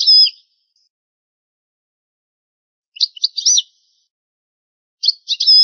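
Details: Old recording of European goldfinch song: short clusters of high, sharp, slurred chirps with descending sweeps, repeated about every two seconds with silence between.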